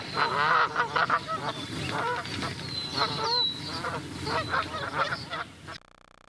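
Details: Canada geese (Branta canadensis) honking, a dense chorus of overlapping nasal, two-note calls rising and falling several times a second, with a few higher squeaky notes.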